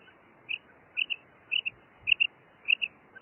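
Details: Evenly spaced two-note calls, each pair short and high, repeated roughly every half second by a female common quail over a soft hiss.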